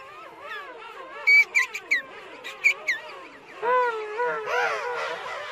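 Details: Penguin calls from several overlapping birds: wavering, harmonic moaning notes throughout, a run of loud, brassy bursts in the middle, then rising and falling wailing calls toward the end.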